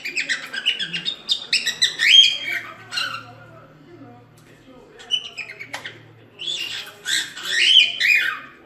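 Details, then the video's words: Cockatiel singing to teach chicks: bursts of raspy, squawky chatter with short whistled inflections, a pause in the middle, then a louder burst of descending harsh notes; faint low hum underneath. "CALOPSITA CANTO TREINAMENTO PARA ENSINAR FILHOTES - CANTO DO PÁSSARO CALOPSITA ENSINANDO FILHOTES"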